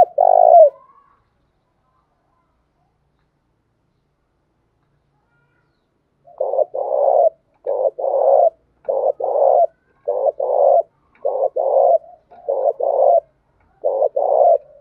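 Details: Spotted dove cooing in the 'thúc gù' manner for voice training: one coo, a long pause, then a run of about ten short, mellow coo notes in pairs, repeated quickly and fairly evenly.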